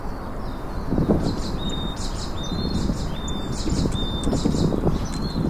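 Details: Chopi blackbird outdoors singing repeated high chirps and short level whistles in a steady series, with low rumbling noise and soft thuds underneath.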